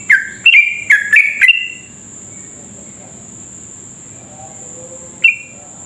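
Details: Sooty-headed bulbul in lively song meant to stimulate rivals to sing rapidly: a quick burst of four or five falling whistled notes, then a pause and one final note, with a steady thin whine throughout.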